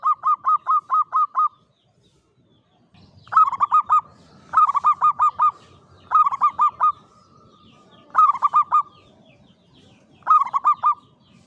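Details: Local Javanese perkutut, a zebra dove kept in a classic Mataraman cage, sings klowongan song: bursts of four to six quick, bell-like coos, repeated roughly every two seconds with short pauses between.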